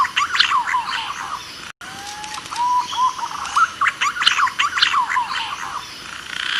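A green pigeon gives soft, wavering whistles, some rising and some level, among bursts of rapid, chattering chirps. A brief cut breaks the recording.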